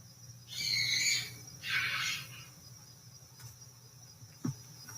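A young barred owl gives two harsh, hissing rasps, each about half a second long, one after the other. A steady low hum runs underneath.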